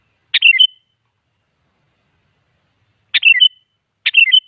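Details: Sooty-headed bulbul used as a lure so other bulbuls answer: three quick bubbly phrases, a sharp note followed by descending and rising liquid whistles ending in a thin trailing tone, with a long pause after the first.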